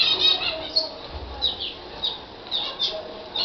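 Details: Libyan canary giving scattered high chirps and short trilled fragments, several brief bursts spaced irregularly over a few seconds, with a faint low rumble in the background.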